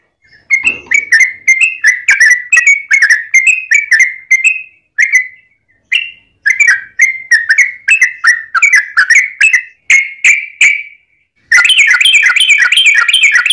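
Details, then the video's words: Yellow-vented bulbul fighting song, a lure to make other bulbuls sing: an extended series of bubbly, slurred whistles in steady groups with short breaks, ending in a dense, rolling rapid burst. "trucukan gacor TARUNG ROPEL PANJANG pancingan trucukan agar bunyi"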